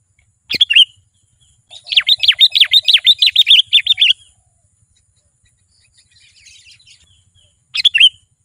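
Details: Sooty-headed bulbul song used to call wild birds closer: a loud chattering phrase of about a dozen quick notes swooping down and up, between short separate chirps, with silent gaps.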